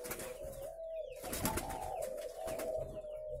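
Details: Many caged spotted doves at a Vietnamese breeding farm near Ba Vì give continuous low cooing that blends into one droning band, with a few faint high chirps from small birds.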